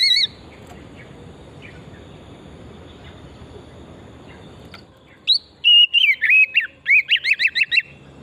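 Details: Oriental magpie-robin lure song: after a long stretch of faint noise, a burst of whistled phrases followed by a fast series of repeated rising notes.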